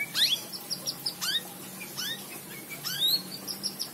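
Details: White-rumped shama delivering sharp upward-sweeping whistles and thin high notes, spaced by brief pauses, with a faint low hum in the background.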